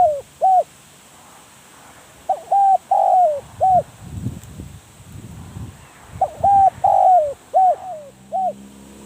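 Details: Cooing from a spotted dove kept as a decoy: short hollow notes, then two full phrases of level coos ending in a falling, drawn-out coo and a clipped last note, with a low rumbling between phrases.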